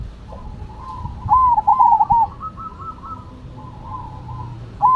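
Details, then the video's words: Zebra dove song, Cemani versus Silver varieties: one bright rippling cooing phrase of rapid beaded notes, then quieter drawn-out rolling coos from another dove, and a new loud phrase starting at the end. "Perkutut Cemani Gacor Vs Silver Gacor"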